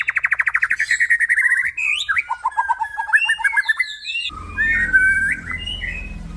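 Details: Male white-rumped shama, a crossbred F-series bird: fast rattling trill of repeated notes, then varied whistled phrases and chattering notes, with a low hum entering partway through.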